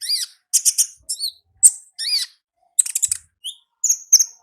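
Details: Olive-backed sunbird singing in the wild in a style called ngalas: high, thin chirps and sharp twittering notes, some with looping slurs, delivered in quick bursts with brief gaps.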